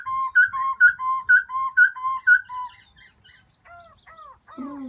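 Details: In spring, a black-throated laughingthrush seeking a new mate gives clear paired whistles, high then lower, repeated six times in steady rhythm, followed by softer falling whistles and a low, fading note.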